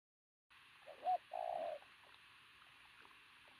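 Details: Pigeon with an athletic build, noted for a very loud coo: one low hooting coo, a short rising note then a longer steady note, over a steady background hiss.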